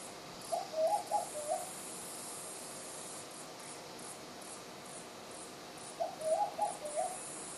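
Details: Bar-shouldered dove at Kobble Creek in December giving two mellow, rolling cooing phrases of three or four quick notes, about five seconds apart, over a steady high insect hiss.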